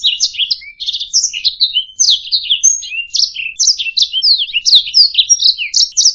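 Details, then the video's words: Canary singing, used as a tutor recording for teaching other birds: rapid rolling phrases of buzzy trills and bright slurred notes, a low whistled glide near the start, flowing almost without a break over six seconds. "SUARA MASTERAN - Ocehan Burung Kenari"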